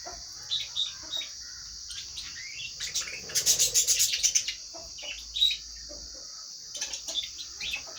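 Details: Lovebirds calling while eating: quick, irregular, high chirps and twitters, with a burst of rapid scratchy notes midway, over a steady high hiss.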